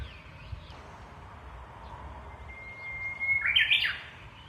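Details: Japanese bush warbler song at a small local shrine: a long, thin whistle held for about a second, then a loud, rapid warbled ending with a quick upward flick. Quiet surroundings.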